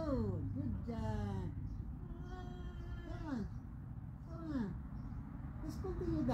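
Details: Female pet cockatoo outdoors, laughing and talking: a series of harmonic, chuckling notes that slide downward, repeated through the clip over a low steady rumble.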